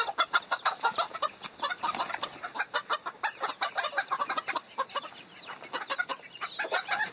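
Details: Flock of chickens in the wild, a steady stream of clipped, scratchy clucks tumbling over one another, a dense patter of notes that eases slightly toward the middle before picking up again.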